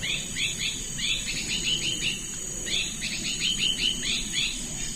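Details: Hairy-backed Bulbul in Thailand, a xeno-canto recording: bursts of short, high, slurred chirps, several in quick succession, with a brief pause between groups, over a steady high insect-like hiss.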